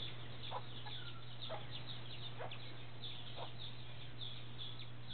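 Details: Hen with her chicks in Puerto Rico in December, giving short soft clucks roughly once a second, over a steady low electrical hum and a dense background chorus of high, rapid chirps.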